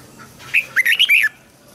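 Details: Red-whiskered bulbul practising song, used to help young birds learn to sing and to prompt newly caught birds to sing: one quick phrase of about five bright, warbled notes, rising and falling, over a quiet background.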